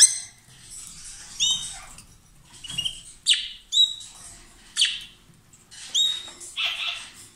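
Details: Lovebird pair in loud song, touching beaks or exchanging food; clear, piercing high chirps and squawky notes arrive in quick irregular bursts, separated by brief silences.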